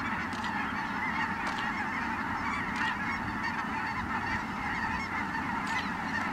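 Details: Ross's geese coming in at Merced National Wildlife Refuge, 22 December 2017: a massed, even chorus of nasal yelps and squeaky honks, with scattered sharp ticks throughout.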